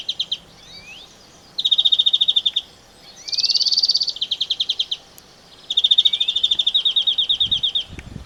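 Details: European Greenfinch singing in a garden at 7 a.m. in soft early light, a territorial and breeding song: rapid, canary-like trills and twittering bursts of about a second, with a brief long, drawn, nasal buzzy note between them.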